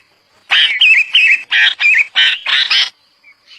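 A Red-vented bulbul gives a fast burst of about seven harsh, chattering notes with warbled tones, over two seconds, followed by a couple of faint notes.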